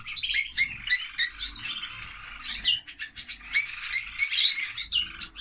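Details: Noisy lovebirds produce quick shrill chirps in rapid clusters, loud bursts at the start and again after the midpoint, separated by softer buzzy chatter.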